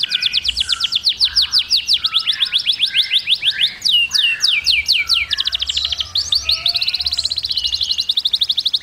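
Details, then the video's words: Canary song used to train chicks, a continuous run of fast high trills and downward-sweeping syllables, changing tempo and shape every second or so, with buzzy rapid passages and lower soft notes underneath. "Kanarya civcivleri eğitmek için şarkı söylüyor"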